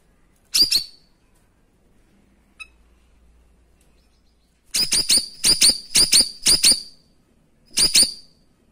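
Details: Cream-striped bulbul (cucak rawis) delivering its sharp 'tembakan' song, used as a master recording to train other birds: harsh, high, ringing notes, one at first, then a rapid run of six after a pause, then one more.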